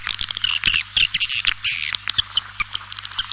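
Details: White-nest swiftlet calling sound meant to attract swiftlets: sharp dry clicks mixed with thin, high squeaky chirps and short trills, over a steady low electrical hum.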